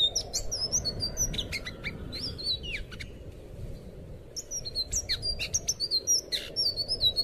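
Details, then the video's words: Thrush known as anis biru, sung as a master recording for training young caged birds: bursts of quick, thin whistles and sharp ticks, a quieter lull near the middle, then a dense, lively flurry again, above a soft background rumble. "suara burung anis biru buat masteran burung bahan"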